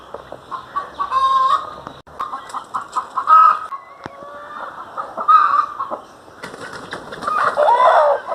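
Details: Domestic hen kept as a pet bird, clucking in irregular bursts about every two seconds, each a nasal, harmonic cackle with short drawn notes between.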